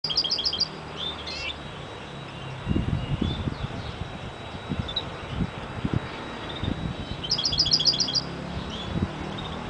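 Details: European goldfinch: two short bursts of fast, high, tinkling chirps, one at the start and one near the end, with low thumping and rumbling noise in between and a faint steady high tone throughout.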